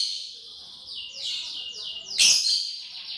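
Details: Short burst of lovebird chirping during a meal of corn: rapid, shrill repeated notes forming steady stepped runs, peaking in one loud harsh chirp near the end.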